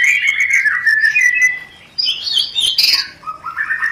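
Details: Clear rencetan song of a white-rumped shama, a lure to bring on breeding condition: a falling whistled phrase, a short silence, then bright high notes and lower stepped whistles.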